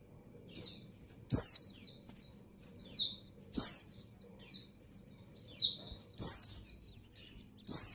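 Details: Female white-eye in breeding condition calling to the male: very high, thin, down-slurred chirps, often in quick pairs or triplets, with sharp clicking taps between phrases.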